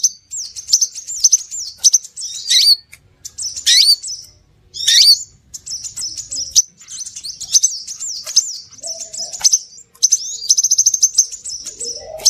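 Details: Lure call of the scarlet minivet. Dense, continuous high-pitched whistles and sharp chirps run almost without pause, with several buzzy, overlapping bursts and rapid repeated notes.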